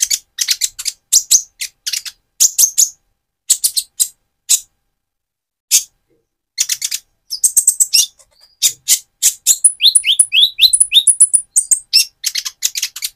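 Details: Van Hasselt's sunbird, a mottled-plumage bird moulting toward metallic feathers, singing actively as a lure to rouse another sunbird: rapid bursts of sharp high chirps, pauses, then a quick twittering run of thin descending whistled notes.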